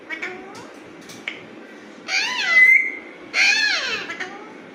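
An Alexandrine parakeet gives a few soft chirps and whistles, then two loud, harsh, rasping screeches about a second apart, in a quiet room.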